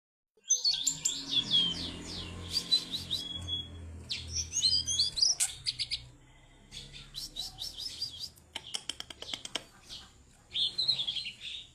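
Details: Tame caged Siberian blue robin singing energetically; bursts of high twittering and rapid trilled notes with gaps, then a run of sharp clicking ticks and a final twittery phrase.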